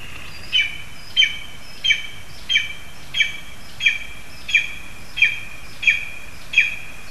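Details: Spruce-dwelling lesser spotted eagle in Zemgale, Latvia, feeding a frog to its young; a long run of ten short, shrill yelping notes, regular at about 0.65-second intervals, with light background noise.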